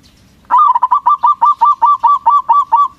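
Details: Local zebra dove in big voice, sung to make other doves answer right away. A quick stutter opens a long series of about twelve bright, rolling coos repeating steadily over two and a half seconds.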